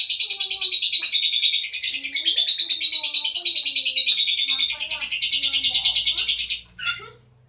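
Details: Sulking pet lovebird at night delivering a long, continuous, shrill rattling chatter, rapid pulses shifting slightly higher midway, lasting over six seconds before ending with a short final chirp.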